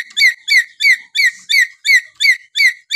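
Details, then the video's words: Papuan lory giving a natural whistle: a steady series of about eight loud, rich, downslurred whistled notes, evenly spaced at roughly three per second. "siulan alami burung nuri paltem papua"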